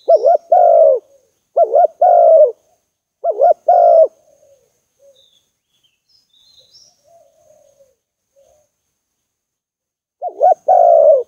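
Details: Spotted dove giving its trapping-lure cooing: three quick phrases of a wavering note plus a hoarse croo, a long near-silent stretch with faint soft coos, then one more phrase.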